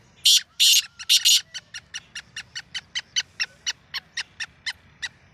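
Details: Black francolin, or kala teetar, in early-season calling: three loud, rasping, broadband bursts, then a steady train of short, sharp ticking notes repeated about every quarter second.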